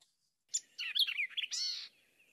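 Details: A White-eyed Vireo, a common bird of southwest Ohio, sings one quick, emphatic phrase of sharp, varied notes, snappy chips and a slurred warble lasting about a second and a half, with no other sounds.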